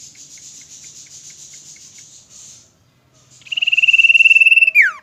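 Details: Common iora, a kept songbird, singing: a run of fast, high, thin ticking notes, a short pause, then a loud, rapid, even trill on one pitch that ends in a sharp downward slur.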